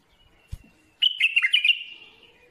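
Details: Bulbul singing a loud, rapid run of liquid, tumbling notes lasting about a second, after a faint thin whistle and a single tap.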